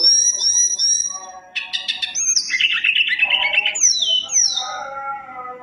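A Mountain tailorbird sings a fast, varied medley: thin high whistles, a buzzy rattling trill, then sharp descending sweeps, over a faint low hiss.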